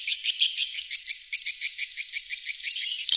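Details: Swiftlet lure call used to attract swiftlets: dense, rapid high-pitched chirping and twittering, pulsing several times per second in a continuous stream with no pauses.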